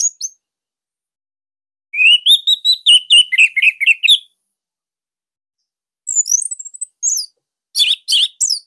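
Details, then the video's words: Orange-headed thrush of the Bali type, kept caged, singing a loud master song for training songbirds: a fast rattling series of repeated notes, a pause, then scattered high sweeping whistles. "GACOR Dorr Kicauan Joss ANIS MERAH"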